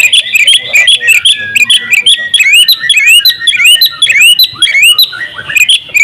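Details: Champion oriental magpie-robin singing nonstop with a full varied repertoire: dense bursts of sharp chips, rising whistled slurs and buzzy twitters tumble over one another throughout, loud and close.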